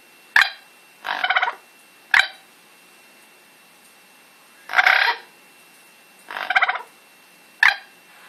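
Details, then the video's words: Pet Amazon parrot making noises: sharp clicking pops alternate with short raspy, buzzy squawks, about six sounds over eight seconds, with quiet gaps between; a person coaxes it on in Dutch. "Amazon making noises"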